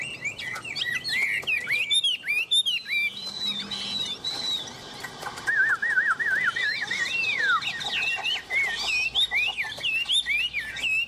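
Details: Hand-tame hwamei gripping a hand and singing energetically, a varied run of loud whistles and chips that breaks into a fast, wavering warble mid-phrase before returning to sharp whistled notes.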